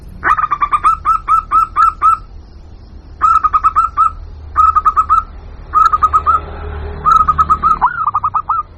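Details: Lure calling of a local zebra dove, meant to attract wild birds. There are five separate bursts, each of six or seven quick, ringing cooing notes, with short pauses between bursts.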